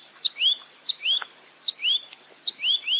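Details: Clear 'roll tembak' song of a velvet-fronted nuthatch: a crisp click, then one or two rising whistled slurs, repeated four times in steady phrases roughly every 0.8 seconds.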